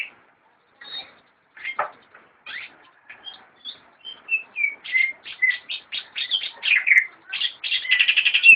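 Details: Cucak ijo, the greater green leafbird, from a friend's bird collection, starts with sparse chirps, then speeds into quick varied whistles and ends in an accelerating buzzy trill.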